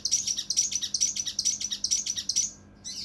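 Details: Mountain leaf warbler, locally cucak rante mas, in the agitated kinoi style with rough, closely spaced shots for tutoring contest birds: a fast, even string of piercing high chirps, about two per second, ending in a short pause and a trailing note.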